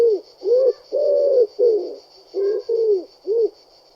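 A pigeon gives soft, low cooing notes, seven short throaty coos in four seconds, each gently rising then falling, with a faint steady hum behind.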